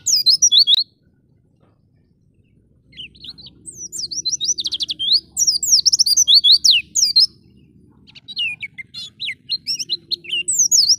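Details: Persistent song of a wild-type Oriental white-eye (pleci ngalas gacor), recorded to stir and train caged birds: bursts of fast, high, twittering and sweeping whistles separated by short silences, with a faint low background hum.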